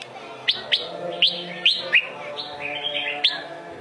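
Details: Red-whiskered bulbul of the Sông Kôn type delivering sharp, separate upswept whistles about half a second apart, then a softer wavering warble and one final bright note, against a light background hiss.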